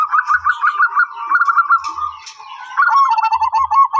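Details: Continuous rolling, stuttered cooing from a zebra dove, notes packed quickly at a steady pitch before a louder closing phrase; light low knocks and faint clicks behind.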